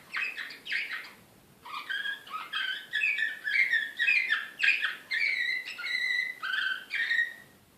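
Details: Excited Serbian Slavujar canary from Belgrade, 2016, singing a continuous run of varied phrases: rapid harmonic trills, then sweeping whistled notes sliding between mid and high pitch, each phrase about half a second, in a quiet room.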